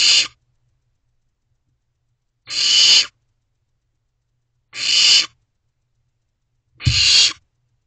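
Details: Nestling barn owl begging for food from its parents in Owl Box C, 2:55 am, 15 May 2023: four evenly harsh hissing shrieks about two seconds apart in quiet surroundings, a faint thump with the last.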